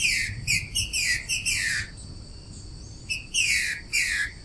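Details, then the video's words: A green-winged saltator, reportedly a female, sings loud, rich, slurred phrases of quick falling notes in two bursts separated by a brief pause. "TRINCA-FERRO FÊMEA CANTANDO?"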